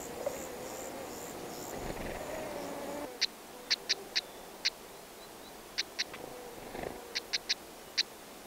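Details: Wild black-headed stonechat pair feeding chicks at the nest: after a murky, rustling opening, sharp dry clicking ticks come singly and in quick clusters of two or three, spaced irregularly over several seconds.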